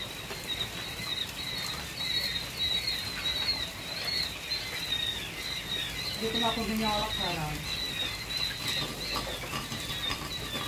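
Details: Day-old quail chicks kept in a coop at a laying-quail farm, peeping constantly in thin, high, overlapping chirps from many birds, with a short burst of human speech midway.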